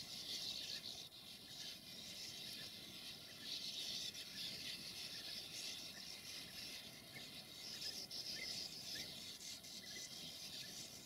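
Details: A sand martin colony at nests in an abandoned quarry chatters continuously in a dense, overlapping chorus of dry, buzzy twitters, over a low rumble of wind or distant traffic.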